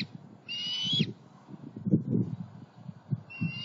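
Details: Bald eagle, Southwest Florida, early July 2020, with two juveniles flying from nest to pond to snag tree: one drawn-out high whistled note with bright overtones, then a second note beginning after a pause, over low background rumbling.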